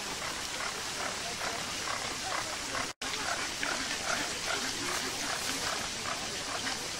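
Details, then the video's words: Zoo flamingos in the UK chatter together, giving clipped nasal honks at a quick, uneven pace of two or three a second, while fountain water hisses steadily in the background. "Flamingo Sounds"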